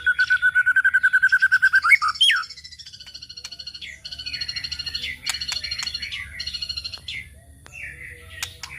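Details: White-rumped shama song used as a lure for other birds: a fast run of about fifteen identical clear whistled notes in two seconds, then a rising flourish and varied high, rapid chattering and twittering phrases, with low steady hum beneath.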